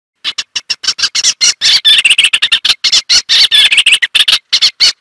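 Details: Eastern olivaceous warbler singing a fast, scratchy, chattering warble of short notes packed closely together, with brief gaps between bursts and no other sounds.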